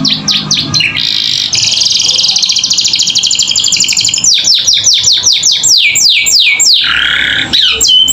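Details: Canary 'gacor isian' song for young birds learning: short whistles, then a sustained buzzy rattling trill, followed by a sequence of sharp descending whistles and a harsh buzz.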